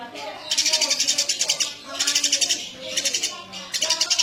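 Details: Eurasian tree sparrow chattering energetically: rapid trains of sharp, high chirps, about ten per second, in four bursts separated by brief lulls, with faint lower tones underneath.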